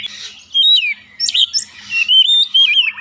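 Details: Oriental magpie-robin song for luring a bird into song: a steady whistled note, a few sharp chips, then a long wavering whistle with slight buzz.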